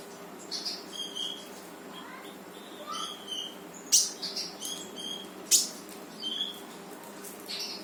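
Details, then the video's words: Brown-throated sunbird (konin) in lively 'gacor' singing, intended to prompt silent birds to join in: irregular high chirps and short whistles, with two loud sharp notes standing out, over a faint hum. "KONIN GACOR FULL TEMBAKAN || UNTUK MANCING KONIN MALES BUNYI LANGSUNG IKUT BUNYI"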